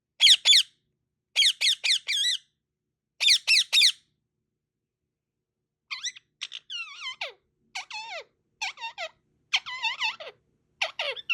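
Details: Parrot chirping with lots of kisses: clipped kiss-like smacks in short bursts at first, then a run of varied, sliding, whistled chirps with rising and falling notes.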